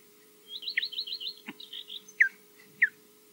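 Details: An osprey (Loch Garten, Scotland, around 12:05) defending the nest amid flyovers and a slight dive-bomb gives a rapid run of high, whistled chirps, then two sharp, downslurred whistles, over a steady low electrical hum.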